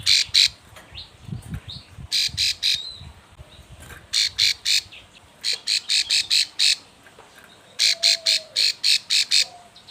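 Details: Female plain prinia in breeding condition calling to a male, used as a lure: bursts of two to six loud, buzzy, evenly spaced notes, with short pauses between groups and faint background noise.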